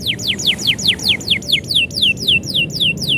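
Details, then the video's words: Canary song as the owner is about to depart: a steady series of clear whistled notes, each sliding sharply downward, repeated about three times per second. "kenari bunyi ketika yang punya mau pergi"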